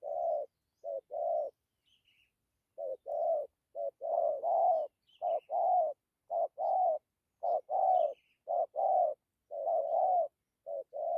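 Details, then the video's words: Steady cooing of a spotted dove with 'dặm' phrasing: many low, burry double notes, a quick short coo then a drawn-out one, repeated at a brisk, fairly even pace. Soft high chirps of a small bird sound in the background. "Thổ tốt tiếng gù tốt dặm kèm gù"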